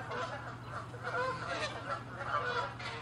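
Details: Territorial Canada geese attacking each other near water, a rapid series of nasal, harsh honks from several birds overlapping over a few seconds.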